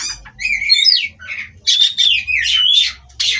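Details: Captive-bred Oriental magpie-robin producing harsh, squawking rasps mixed with thin high whistles in two long bursts separated by a brief pause.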